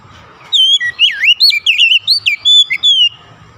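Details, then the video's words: Short burst of Oriental magpie-robin song, with fluid whistled notes that dip and climb in rapid succession before stopping abruptly. "SUSUNAN KICAUAN KACER YANG INDAH DAN ENAK DI DENGAR"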